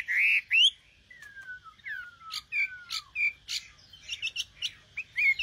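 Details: Singing nightingale with several long, slow, downward-slurred whistles separated by short bright notes, then a livelier series of quick chirps and whistles toward the close.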